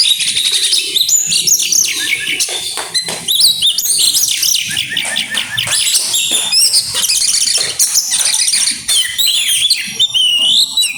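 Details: Oriental magpie-robin (kacer) singing grabakan and bringing out isian: a clean, unbroken stream of very high, rapid chirps, twitters and sweeping whistles, with almost no low background.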